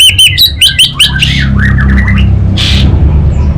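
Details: Singing orange-headed thrush (anis bata), North Bali: a rapid run of loud, ringing, repeated notes opens, followed by softer twittering and chattered phrases, with a low hum throughout.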